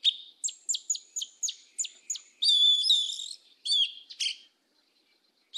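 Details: Sabiá-una, the yellow-legged thrush, in mateiro do sul song: a run of sharp, evenly spaced high notes, then a dense buzzy trilled phrase and a few quick chirps before silence.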